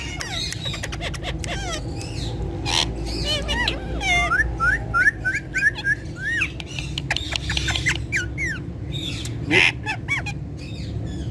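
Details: Indian ringneck parakeets kept as talking pet parrots, producing dense bursts of chirps, repeated rising whistles and squawks, some notes clipped and broken, over low humming background noise.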